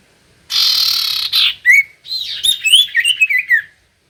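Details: Common iora singing as a lure for birds reluctant to sing: a harsh buzzy burst opens, followed by quick chirps and a run of clear notes that slur downward, ending abruptly.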